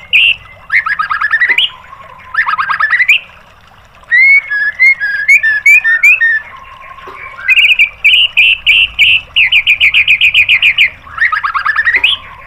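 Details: Long White-rumped shama song for training caged birds: rattling trilled bursts, a varied passage of thin slurred whistles, then fast repeated notes and more rattles, over faint hum.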